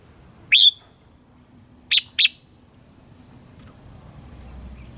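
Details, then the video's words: Red-whiskered bulbul morning song, 'old forest voice' style, played as a training lure: one rich whistled note, then a quick pair of short notes a second later, followed by quiet. "Luyện giọng cho chào mào hót sáng, chào mào hót giọng già rừng hay tuyệt"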